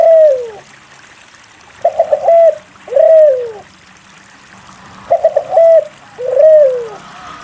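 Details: Spotted dove in full voice, used to prompt reluctant doves into singing: a quick burst of three or four clipped notes, then a long, smooth, falling coo. The phrases repeat about every three seconds over faint background hiss.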